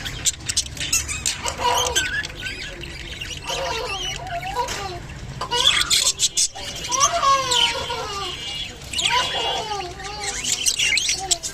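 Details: Japanese budgerigar in mating, warbling in bursts of wavering whistled notes that slide up and down, separated by short gaps and mixed with quick clicks.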